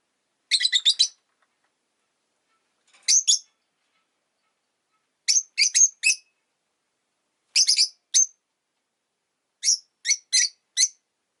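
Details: Pet rosy-faced lovebird chirping: five bursts of sharp, high, harsh chirps in quick clusters of two to four, spaced about two seconds apart, with silence between.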